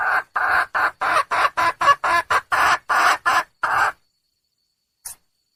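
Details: Female red junglefowl calling for a male: about eleven harsh, cackling clucks in a steady, quick series lasting four seconds, then silence and a faint click.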